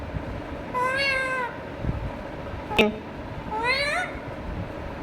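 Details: Indian ringneck parakeet talking to itself: two drawn-out, nasal, meow-like harmonic phrases, the first level and the second rising, separated by a sharp click in a quiet room.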